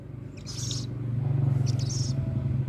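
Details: Little owl being cared for before release, calling before it is fed: two short, breathy hissing bursts over a loud steady low hum.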